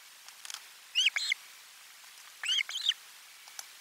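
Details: Osprey nest on 12 July 2022 at a lunch fish delivery, recorded on the nest's live camera: two quieter pairs of curved, whistled chirps about one and a half seconds apart over faint background hiss.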